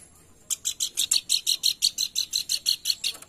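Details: Pelanduk bukit lure call for stimulating singing: a long, steady stream of about seventeen bright, high chirps in quick, regular succession against a quiet background.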